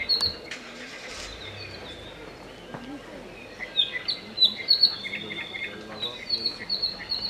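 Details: An Apapane at rest in Hawaii Volcanoes National Park gives a run of short, high chips and squeaky notes, several per second, with a few lower buzzy notes mixed in, over quiet background rustle.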